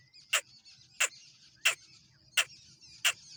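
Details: Three-month-old young black francolin (kala tetar) calling: short, sharp, grating notes repeated at a steady pace, five in just over three seconds, over a faint low rumble.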